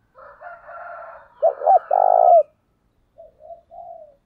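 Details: Spotted dove lure call aimed at provoking rival males. A buzzy drawn-out sound runs into a loud coo of two short notes and a long falling note, followed by a much fainter, softer three-note coo.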